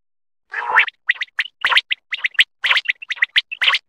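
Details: Quail calling in a quick, irregular run of short chirping notes, some rising sharply, others clipped, bunched into small groups across about three seconds; no other sounds stand out.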